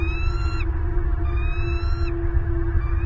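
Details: Bald eagles at a Southwest Florida nest, caught by a nest camera on 8 December 2022 at 09:32: two drawn-out, slightly rising whistled notes with bright overtones, then a fainter third note, over a constant low wind-like rumble.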